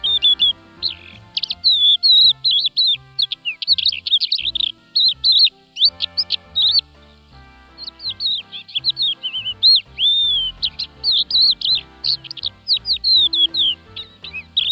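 Crested lark singing a lively, continuous stream of high, liquid whistles and twittering trills in short varied phrases, with faint music in the background.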